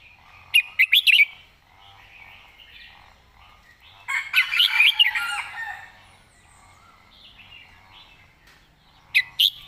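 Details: Red-whiskered bulbul repeating sharp whistled master-song phrases three times, once near the start, once mid-clip and once at the end. A denser bout of chattering, warbled notes fills the middle.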